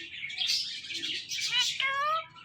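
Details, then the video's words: Talking male Indian ringneck parakeet kept as a pet gives raspy, speech-like syllables that end in a stacked, nasal vowel-like note rising slightly, with a soft room hum beneath. "This Ringneck Parrot Is Really Appreciable Because Of His Best Talking"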